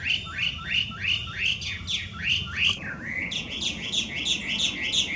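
A Chinese hwamei sings loudly, with rising slurred whistles repeated about three times a second, then switches to higher, quicker phrases over a low background rumble.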